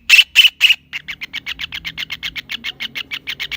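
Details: Kingfisher opens with three strong, rasping notes, followed by a quick, steady chatter of short harsh notes repeated several times per second.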